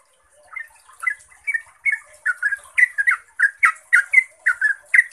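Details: Yellow-vented bulbul starting softly, then building into loud, fast 'ropel' chortling, a lure song to make others answer; bubbly two-part notes about twice a second over a thin steady hiss.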